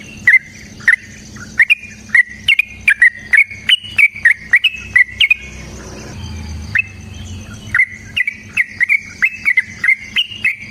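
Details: Sooty-headed bulbul in a chatty, long-rolling fighting song (gacor ropel panjang tarung), used as a lure to get other birds singing. Short bright whistled notes repeat about twice per second, with a brief pause midway, then the series resumes.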